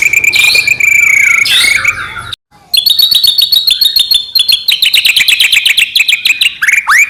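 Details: White-rumped shama song played to goad other shamas into singing: a long level whistle, then a brief break and a fast, evenly repeated series of clipped high notes running for several seconds, ending in downward slurred whistles.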